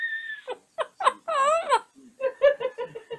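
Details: Pet African grey parrot in its cage during its usual bedtime routine, babbling and singing indoors: a rapid jumble of short speech-like syllables, one wavering drawn-out note, then a quick run of clipped chattering notes.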